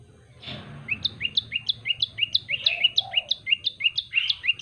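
Yellow-bellied prinia singing a fast run of bright, high two-part chirps, about three each second, after a brief rustle and over a faint low hum.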